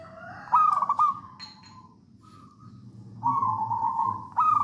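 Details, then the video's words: Local wild Zebra dove from Java, Indonesia, singing as a lure for other doves: a loud sustained cooing note, then a pause and another long rolling coo, with faint background hum. "Perkutut lokal alam gacor songgo ratu"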